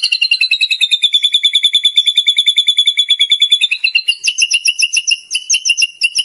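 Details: White-rumped shama, a champion contest bird, sings a fast, steady run of sharp chipping notes, then shifts to loud, varied whistled phrases; no other sounds.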